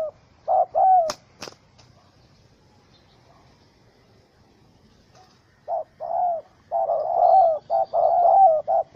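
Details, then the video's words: A spotted dove (Spilopelia chinensis) near a wild bird trap gives soft, hollow coos in quick bursts, then falls silent for several seconds before cooing again; two sharp clicks are heard early on. Recorded 4 July 2017. "Sound Of Angry, Wild Bird Trap With Small Rope: Birds Spotted dove(Spilopelia chinensis)"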